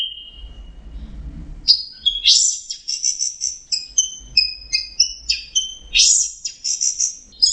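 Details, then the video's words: Orange-headed thrush delivering a rich varied song: a long thin whistle, then rapid bursts of bright chirps and whistled notes mixed with mimic-like phrases, faint low hum beneath. "Burung anis merah jenis burung kicau mahal dan suaranya merdu"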